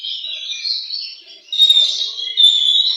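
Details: Oriental magpie-robin in a singing competition, pouring out shrill, high warbles with quick slurs, dipping briefly before two louder surges of piercing whistled notes.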